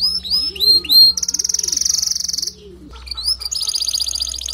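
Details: Male canary singing loudly to make a female build her nest quickly: repeated rising whistled notes, then a fast buzzy trill, a short pause and another rapid high trill, over a low steady hum.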